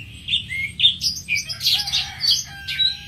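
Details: Song of the greater green leafbird (Chloropsis sonnerati): a fast, varied stream of high chirps, slurred squeaks and rasping notes with a brief low whistle, delivered in quick bursts against a steady low hum.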